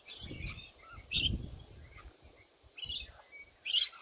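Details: Four raucous, broadband screeches from sulphur-crested cockatoos visiting in the morning, spaced roughly a second apart, each short and grating, with muffled low thumps under the calls.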